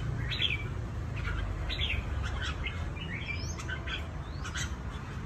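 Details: Red-whiskered bulbuls caught by trapping and kept for fighting, Cao Bằng, Vietnam, sing short clear whistled phrases about once a second, each with a quick rising or falling slur, over steady low-pitched noise.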